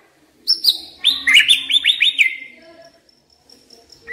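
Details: White-rumped shama decoy bird singing: a high whistle, then a run of bright rising-falling slurred notes about a second and a half long, trailing off into quiet.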